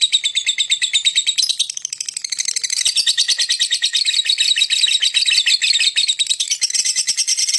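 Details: Lovebird singing and chirping to lure other birds: a continuous rapid chatter of high, rasping chirps that swells, dips briefly near the two-second mark, then carries on densely to the end.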